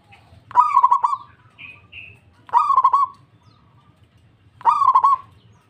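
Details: Zebra dove, a local bird singing in response, repeats a stuttered cooing phrase three times, roughly every two seconds; each phrase is a quick burst of pulsing notes, with two faint high chirps between the first two.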